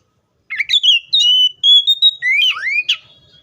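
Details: Oriental magpie-robin, a kept songbird, singing: clear whistled notes held near one pitch, broken by quick upslurred and downslurred phrases, loud and close.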